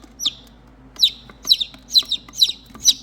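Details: Baby chicks separated from their mother hen peep for her, sharp falling chirps coming roughly twice a second after a short pause, over a faint low background hum.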